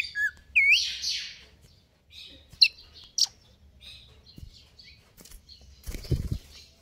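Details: Greater green leafbird in stable condition singing 'konslet kejer nembak': a few loud looping whistles and sharp chips at the start, then quieter scattered notes, with a dull thump and a rustling bump later.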